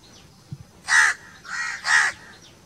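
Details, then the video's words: Crow calling in a natural setting: three harsh, hoarse caws in quick succession, the middle one softer, with faint background sounds. "1 hour crow crowing sounds - one hour crow nonstop crowing voice - natural crow bird sounds"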